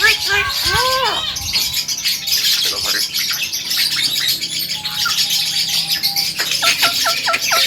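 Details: Male Javan myna known to mimic speech, producing a few arching squawks, a thin steady whistle, and a quick series of sharp clipped notes over a noisy background.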